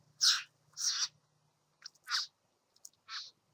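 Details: A visiting satin bowerbird at a bower utters short, grating buzzy notes: two loud ones, then three softer, scratchier notes with brief gaps.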